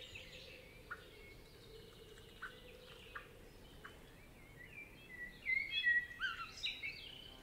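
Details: Faint, separated chip notes in a Spanish forest give way to a common blackbird's warbled song phrase of slurred whistles with a thin, high ending in the last seconds.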